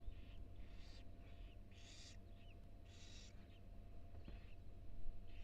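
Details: Barn owl nest box at the University of Florida, a female with four tiny nestlings: repeated harsh, breathy hissing bursts about once a second, with thin faint squeaks, over a constant low electrical hum.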